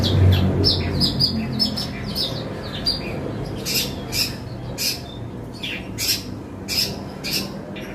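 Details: Long-tailed shrike (cendet) singing a song filled with imitations of fighting sparrows: sharp, high chirps and squeaky notes about two or three per second, unevenly spaced, over a steady low hum.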